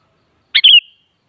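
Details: Sooty-headed bulbul, locally kutilang, singing to coax a kutilang into responding: a crisp two-part phrase, a quick burst followed by a smooth descending whistle with a soft fading tail, heard cleanly without background sound.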